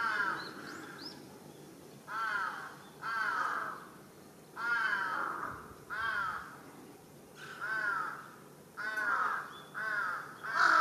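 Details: Large-billed crow kicking up a fuss on a residential utility pole, filmed 1 July 2023: a long series of about nine hoarse, bowed caws, spaced irregularly one to one and a half seconds apart, steady low background hum.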